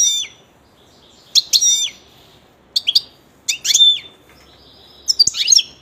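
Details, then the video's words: Pet European goldfinch singing: bright, high twittering phrases with fast falling and rising notes, delivered in short bursts separated by brief pauses. "il canto del mio cardellino"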